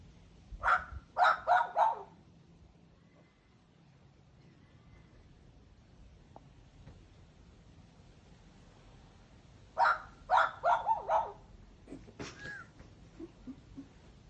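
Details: A male Australian magpie, a regular visitor to a backyard in Perth, Western Australia, in January 2023, mimics a dog, giving short, gruff barks in quick bursts of three or four.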